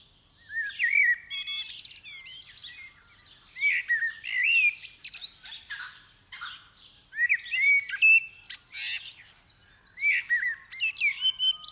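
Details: Dawn-chorus blackbird recorded 8 December 2019 on a stereo mic with audio interface and phone: mellow whistled phrases break out repeatedly amid a dense, high-pitched chatter of many other songbirds.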